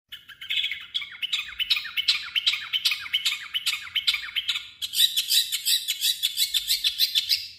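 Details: Long-tailed shrike gives a fast, scratchy chattering song of sharp notes about three to four a second, mixing its natural voice with mimicry of other birds, turning higher and more varied midway.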